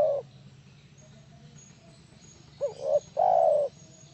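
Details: Luring call of a spotted dove meant to get others answering: the tail of a coo at the start, a pause, then a full phrase of two short notes and a long, steady coo.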